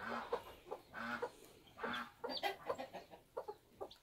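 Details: Bantam chickens on a homestead during a chick hatching, with short low clucks repeated in uneven bursts, each note a brief harmonic pulse. Scratchy broadband rustles and clicks sit between the calls.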